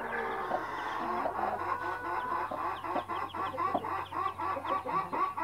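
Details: Backyard blue mother hen calling to her chicks; steady fast clucking about four times a second, soft chick peeps and a low background hum.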